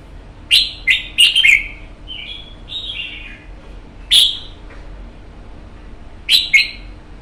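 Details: Wild-caught red-whiskered bulbul, kept in a cage for one month, sings short bright whistled phrases: a quick cluster of sharp, rising-falling notes, a softer warbled run, then two more separated bursts about two seconds apart, with a quiet background.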